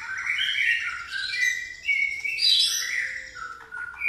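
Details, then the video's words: White-rumped shama singing in a pastol style with church-bell-like phrasing: rich, continuous warbled whistles sliding up and down, loud and varied. "murai pastol isian gereja tarung"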